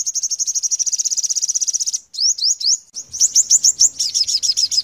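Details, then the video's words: A five-coloured sunbird sings melodiously: a very high, fast trill of about fifteen notes a second, breaking into quick rising slurs and a tumbling chatter. "Hút Mật 5 Màu Líu Giọng"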